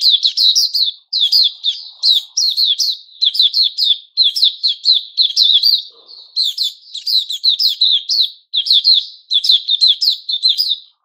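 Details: White-crowned shama, known locally as Puteh Raja, growing new feathers during its moult, recorded 6 September 2021; continuous rapid bursts of bright whistled and chattering notes, tightly packed, with barely any pauses across the stretch.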